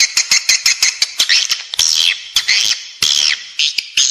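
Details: Edible-nest swiftlet calling sound, used inside a building to attract swiftlets: rapid high twittering chirps and clicks, interspersed with longer arched, harmonic squealing notes.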